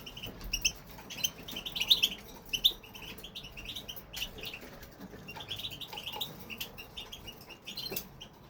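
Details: European goldfinch male singing in an aviary, a fast chattering run of sharp high twitters and liquid trills, loudest early on, with light knocks and rustling.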